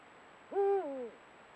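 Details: Single hoot from a Eurasian eagle-owl pair recorded by camera trap at sunset, rising sharply into a steady tone before dropping in two steps to a low, trailing end; the surroundings are otherwise still.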